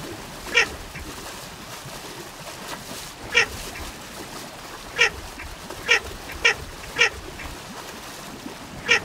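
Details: Short grating quacks from Baer's pochard, seven in all, scattered unevenly with a cluster of four near the end, over steady background noise.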